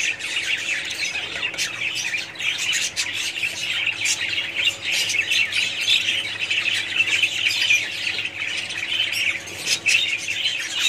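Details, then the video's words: A colony of budgerigars keeps up a dense, noisy chorus of high squawks and twittering chirps, many birds overlapping with small swells and dips in volume. "budgies parrots colony"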